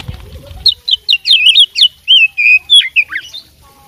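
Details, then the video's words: Energetic song of a fighting oriental magpie-robin full of mimicked phrases: a brisk series of loud, clear whistles and twisting chirps, roughly four per second, some notes buzzy and sharply falling. "suara kacer petarung bongkar isian gacor full masteran"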